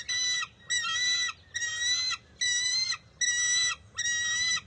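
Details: Bald eagle eaglet at the nest in June 2021 refusing to share a fish its mother grabs; steady, piercing squeals with stacked harmonics, six evenly spaced notes about every 0.8 seconds.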